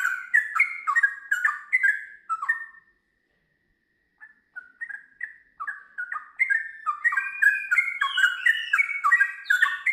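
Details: Sooty-headed bulbul singing in the gacor style, with ngiwir notes running into long ropel phrases: bubbly, rich whistled notes in quick warbling bursts, a pause of about one and a half seconds, then a denser, faster run of liquid phrases.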